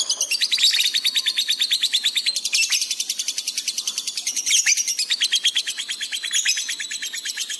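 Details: Energetic lovebird song used to train pet birds, delivered gacor with peak emotion. Dense, rapid buzzy chattering pulses about three per second, unbroken for over seven seconds, with louder surges now and then.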